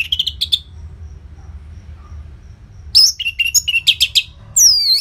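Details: Orange-headed thrush singing loudly, a lure recording to prompt caged birds to sing: a short burst of high buzzy notes, a pause, then a rapid varied run of sharp chirps and slurred whistles, over a low steady hum.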